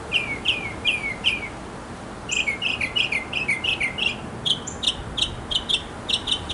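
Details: Male mockingbird in a backyard, singing to win a female: a run of four slurred notes, then a rapid string of bright, sharp repeated notes, steady and loud throughout.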